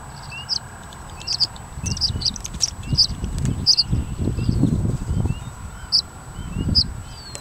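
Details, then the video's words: Tree swallow giving its loud, raucous shriek or alarm call, used in territorial conflicts with other tree swallows or when predators or danger are perceived: sharp, high shrieking notes, singly or in quick pairs, over a low wind-like rumble and faint thin chirps. "Tree Swallow Shriek or Alarm Call"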